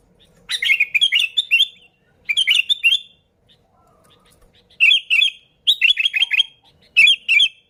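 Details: Bulbul song meant to draw in other sooty-headed bulbuls: short phrases of liquid, warbled notes, each a second or so long, separated by pauses, with a faint low tone between phrases.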